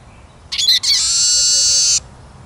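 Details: Eurasian siskin singing a short twittered lead-in, then a long rasping, wheezing buzz held for roughly a second, ending sharply; faint background otherwise.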